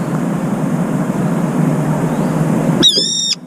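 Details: Brown-eared bulbul calling as it emerges from a cold-water bath; one brief, loud, harsh screech with strong harmonics at the very end, after steady splashing and running-water noise.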